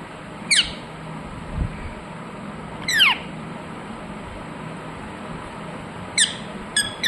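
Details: Indoor rose-ringed parakeet giving isolated sharp, shrill, falling squawks, spaced several seconds apart, over a quiet steady background hum.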